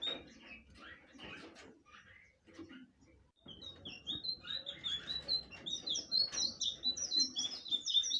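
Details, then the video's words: Blue flycatcher: scattered soft chirps give way to a brisk series of high, sweet whistled phrases with quick up-and-down slurs, rising in volume through the second half above low rumbling noise. "burung sikatan biru/Anis biru"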